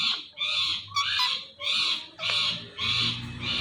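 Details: Harsh, drawn-out squawks from a pet Indian ringneck parrot that talks, repeated about every half second to second in a steady grating series, with low room noise beneath.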